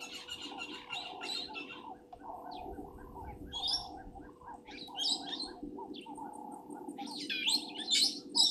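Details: Helmeted guineafowl at Gowrie dam waterhole, Djuma Game Reserve, Sabi Sand, South Africa, at 17:41 on 24 January 2023, give harsh, chattering calls in quick irregular bursts over a low steady hum.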